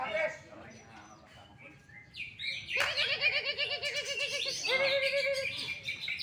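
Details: First-place greater green leafbird at an Indonesian contest in full, hot song: quiet scattered chirps, then a loud burst of rapid high trills over a rippling, wavering lower warble, ending in bright repeated notes.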